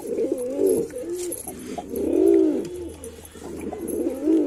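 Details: Deep, bubbling coos from a male white pigeon, three or four swelling phrases in a few seconds, over a low steady hum.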